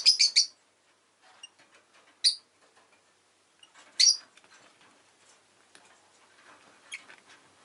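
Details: Domestic rosy-faced lovebirds chirping indoors amid city noise: a rapid triple burst of harsh, high chirps opens, followed by isolated single chirps at roughly two-second gaps and faint low chatter.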